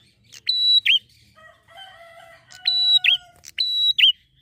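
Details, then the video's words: Bar-winged prinia singing a lively, steady song used as a lure for prinias. A sharp click, a level high whistle and a dropping, twisted note repeat three times. Softer, lower whistled tones fill the gap between phrases. "prenjak gacor ngalun mantap pancing burung prenjak"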